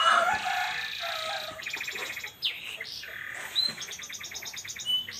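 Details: Canary singing a song in the distinctive 'cengkok unik' style: varied chirps, fast buzzy trills around 1.7 and 3.7 seconds, and short whistled upslurred notes, with a faint lower tone early on.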